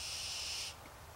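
A barn owl gives a single harsh, rasping hiss lasting under a second, its hungry begging call, with faint low background rumble.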